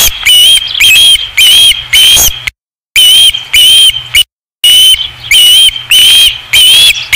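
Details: Osprey at the Dunrovin Ranch nest, August 2016: rapid shrill whistled calls, several per second, rising slightly and flattening, in runs broken by two brief total silences.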